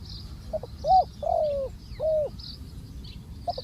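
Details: Ground-placed decoy spotted dove coos in low, mellow phrases, brief clipped notes leading into drawn-out falling coos, with faint high chirps from other birds in the background.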